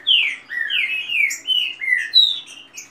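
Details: Fast song of a kept Green-winged saltator in dispute, with female calls: long gliding whistles slurring downward one after another, with thin high notes above.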